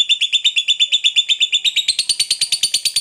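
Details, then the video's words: Fighter lovebird chattering in its long ngekek style, a quick metallic run of high notes at an even beat, jumping up to a higher pitch about two-thirds through, otherwise uninterrupted. "SUARA BURUNG LOVEBIRD NGEKEK PANJANG NGOTOT TAMPIL FIGHTER"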